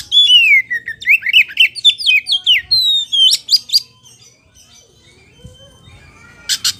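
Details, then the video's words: Caged White-rumped shama singing loud and lively: a rapid run of clear whistled notes sliding and zigzagging, mixed with sharp harsh chips, then a brief quiet pause and a final burst of buzzy clicks. "SUARA PAMCINGAN KACER POCI GACOR BIKING NGEPLONG"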